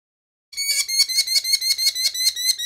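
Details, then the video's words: Injured merlin (pigeon hawk), a small falcon, calling during a medical exam at a veterinary clinic in Bright, Indiana: a harsh, ringing chatter of sharp, even notes, about five per second, after half a second of silence, in a quiet indoor room. "Merlin Vocalization"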